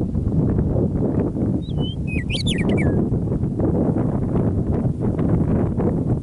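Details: Early spring evening after winter on Alberta prairie near Michichi Dam, Drumheller, Canada: a meadowlark gives one flute-like song, a slurred whistle, then a bright jumble of high notes falling away at the end, against a constant low roar.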